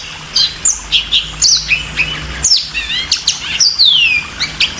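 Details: Clear song of a yellow-fronted canary: spaced high chirps and short whistled slurs, then a long falling whistle near the end, over a soft low hum.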